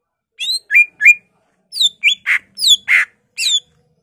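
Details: Greater green leafbird singing loudly with mimicked phrases of other birds. Falling whistles, upslurred notes and two harsh rasping squawks mix in quick, uneven phrases.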